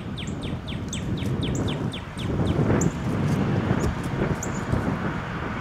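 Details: Male northern cardinal, shy and resident near a home since winter, gives a quick run of about ten short, downward-slurred chirps, then falls silent amid a loud low rumble with scattered high chips.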